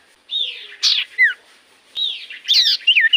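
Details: Common iora song played as a lure so that quiet birds reply: arching whistled notes, a harsh burst, a down-slurred whistle, then another phrase of whistles and rasps.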